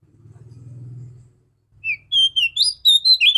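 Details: Clear-voiced female Oriental magpie-robin, morning song used to rouse males: a low hum first, then a lively string of sharp, high whistled notes that slide up and down in quick succession.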